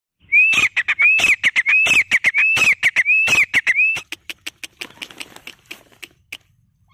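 Grey francolin giving five shrill, rising whistled notes, about two every three seconds, over sharp clicking knocks that continue after the calls stop.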